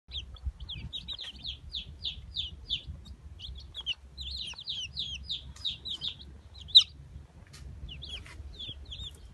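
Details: Newly hatched Brahma chicken chicks, about fifteen together, peeping constantly: rapid high, thin, descending cheeps overlapping in quick bursts, with a low background rumble.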